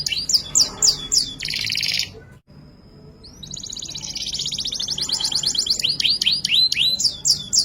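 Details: Canary in full-fill ngerek song: quick high chirps and a buzzy roll, a short silence with a thin whistle, then a long rapid high trill that breaks into repeated rising swooping whistles.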